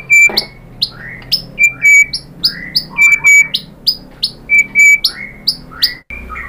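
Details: White-rumped shama song used as a lure to trigger singing: loud repeated whistled notes, some steady high tones and some falling slurs, coming roughly every half second, with a faint low hum beneath.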